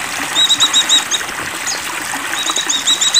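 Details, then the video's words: High, quick chirping phrases from an Oriental white-eye in breeding condition, two short bursts separated by a pause, set against a constant hiss of flowing water. "Birahi Pleci"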